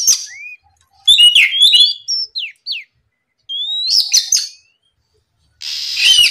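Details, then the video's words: Oriental magpie-robin in full morning song, played to provoke rivals: a rising whistle, then quick scratchy notes and downslurs, a pause, a long upward whistle with chatter, and a closing harsh buzzy rasp. "MEMANCING KACER LAWAN LEKAS BUNYI GACOR DIPAGI HARI, TERAPI SUARA PIKAT BURUNG KACER GACOR NGEPLONG"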